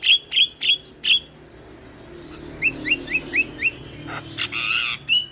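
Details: Jalak starling lure song for a silent bird: four loud sharp chirps, a string of five soft rising notes about every quarter second, then a harsh rasping burst and a final whistle.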